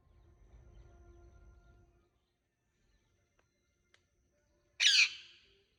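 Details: Faint low rumble and scattered soft clicks, then one sudden loud, rasping screech from a green parrot near the end.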